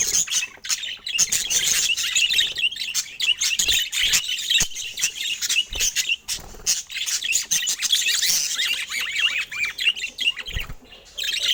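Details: Pet budgerigars chirping in a busy, continuous stream of high squawks, warbles and chattering notes, with brief pauses and loud overlapping bursts throughout.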